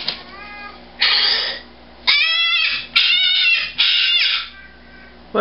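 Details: A captive male umbrella cockatoo, rescued and once kept as a breeder, screams because he was not told good night as part of his nightly routine. Harsh, very loud screeches about once a second, each lasting under a second, indoors.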